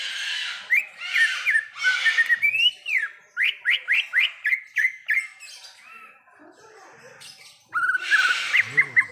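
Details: Greater green leafbird singing in the wild: harsh raspy chatter gives way to a rapid sequence of rising-falling whistles, a brief lull, then more scratchy notes with whistles.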